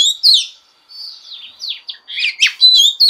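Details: Female Oriental magpie-robin, singing to stimulate males: a short stretch of quick, rambling warbled notes, some soft and some sharp, mixing rising and falling whistles.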